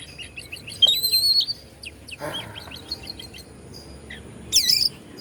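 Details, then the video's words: Oriental magpie-robin singing to provoke other magpie-robins into singing: sparse high whistled notes, a sweeping whistled phrase near the first second and a sharp metallic burst near the end, over steady background hiss. "KACER BANDUNG"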